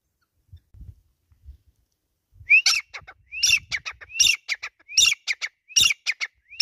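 A grey francolin gives loud, harsh, ringing notes in a rhythmic repeated series after a quiet start.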